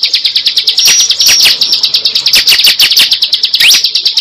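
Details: Prinia (cible) lure call: a fast, even trill of high buzzy pulses with louder sharp chirps and one upslurred note cutting through.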